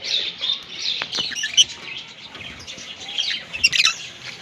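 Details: A green Fischer's lovebird pair chirping: dense, high, squeaky twittering and chatter throughout, with a few sharper, louder chirps near the start and end.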